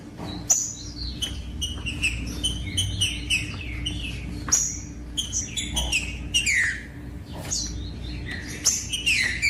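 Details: Green-winged saltator song for motivating other birds of its kind: long series of loud whistled notes and slurred falling phrases, delivered in energetic bursts with brief pauses, a faint low hum underneath.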